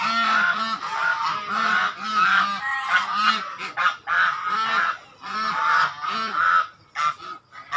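Swans honk together in a noisy chorus: nasal, trumpeting notes come several per second, overlapping and rising and falling in pitch, with no other sounds.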